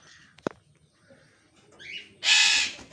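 A grey parrot gives a sharp click, a brief rising whistled note, then a loud, harsh, rasping screech lasting under half a second.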